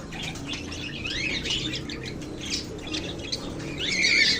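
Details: Lovebirds giving a steady stream of high, rasping chirps and rising-falling squawky notes, several birds overlapping, with a faint low hum underneath.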